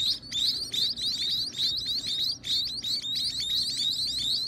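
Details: Baby birds at feeding time give dense, rapid high chirps, overlapping upward-sweeping squeaks repeated about three times per second, in a small room.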